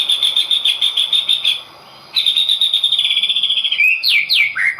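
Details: Singing-contest white-rumped shama pouring out rapid, high rattling trills, then a brief pause, more fast trilled phrases, and a finish of loud whistles sweeping sharply downward.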